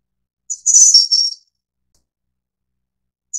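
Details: Snowy-browed flycatcher of the Taiwan endemic subspecies Ficedula hyperythra innexa: a very high, thin, squeaky phrase, with a brief note followed by a longer shimmering burst, then a long silence and another short high note at the end. No other sounds.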